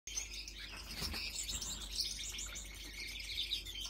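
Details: A young adult single-factor yellow male Gouldian finch, split blue, sings a thin, hissy stream of high, buzzy twitters to attract and impress females, over a busy background of other small birds chirping.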